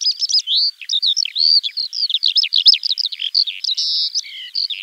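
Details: Alauda arvensis delivering continuous high warbling, mixing quick chirps, buzzy trills and sustained whistled notes in an unbroken, varied stream.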